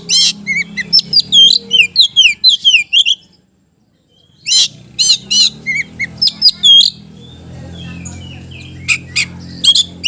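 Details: Kacer, the Oriental magpie-robin, singing to set lazy birds off: rapid runs of varied whistles and chatter, a short silence, then loud rasping bursts and scattered chips over low hum.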